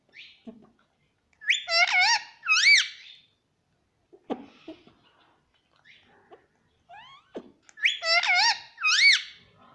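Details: Talking pet parrot saying "mummy" indoors: paired two-syllable, speech-like bursts with bright arched tones, given twice several seconds apart, with softer clicks and short sounds in between.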